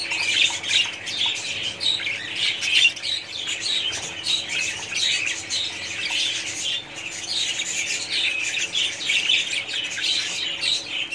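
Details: Budgerigars in a colony, a dense continuous chatter of many birds: overlapping high scratchy chirps, warbles and squawks with no pauses, a steady busy wall of sound throughout.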